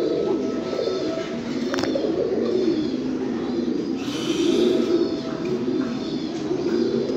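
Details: Domestic fancy pigeons cooing together in a steady, overlapping low murmur, with a brief brighter rustle or clatter midway through the recording.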